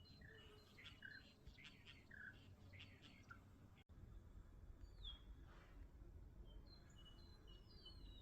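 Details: Common starling: clicking, chattering phrases with short whistles, a brief pause, then long drawn-out descending and rising whistles, over constant low noise.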